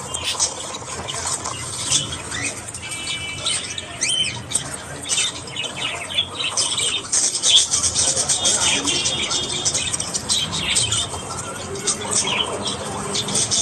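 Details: Australian budgies calling in the morning, a long stretch of dense, scratchy high twittering with rapid trilled bursts and louder squawks midway.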